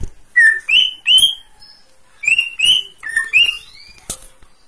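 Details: Greater green leafbird singing pairs and triplets of loud, rising whistled notes in two bursts, ending with a sharp click.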